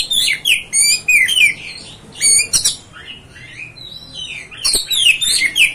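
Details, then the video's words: Oriental magpie-robin song used as a lure to provoke another magpie-robin: fast run of varied high whistled phrases, swoops and chirps, broken by sharp clicks and a short quieter gap. "MEMANCING | MEMBAKAR EMOSI KACER ANDA"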